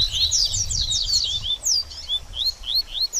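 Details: Double-collared seedeater delivering baderninha song, used to stimulate a bird after moulting: a fast opening cluster of high slurred chirps, then slower, evenly spaced single rising whistles.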